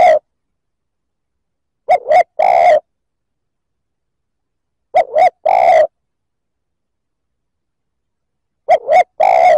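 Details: Steady cooing by a spotted dove intended to provoke other males; the phrase of two clipped hoots and one long coo repeats at roughly three-second intervals, no other sounds present.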